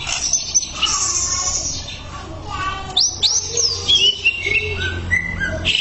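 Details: Greater green leafbird song from a tutor recording meant for training caged birds: varied bright whistles, sweeping slurs and quick chirps, with pauses between phrases and a steady low hum beneath.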